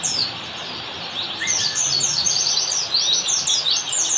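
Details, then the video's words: Ngalas-style Oriental white-eye (pleci) master song for caged-bird training: a continuous high, scratchy stream of quick downslurred chips and twitters over a soft background hiss, with one brief lower whistle early on. "semastering pleci || masteran ampuh pleci yang denger auto nyaut"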